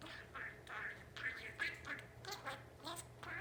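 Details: Talking albino budgie, male, about four years old, kept indoors, reeling off fast raspy speech-like syllables, around two or three per second, rising and falling in short bursts over a low background hum.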